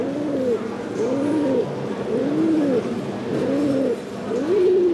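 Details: Male silver-barred Indian fantail pigeon, Coupe de France winner at a national poultry show in Woincourt, Hauts-de-France, 2022, giving low, rounded coos in arching pairs, roughly one each second, over a steady murmur of show-hall background noise.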